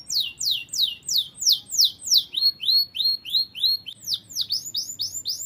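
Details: A canary in full song, given as a tutor recording for training other birds: rapid, evenly repeated high downward-sweeping notes about three per second, shifting partway into a slightly lower, steadier series of sharp chirps, against faint low background hum.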